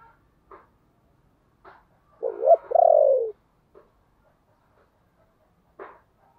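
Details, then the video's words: Decoy spotted dove cooing to lure wild doves into answering: two short coos lead into a longer, falling, rolling coo phrase, surrounded by scattered sharp clicks and taps in an otherwise quiet setting. "Chim Cu Mồi/ tieng cu gay kich boi nhanh noi"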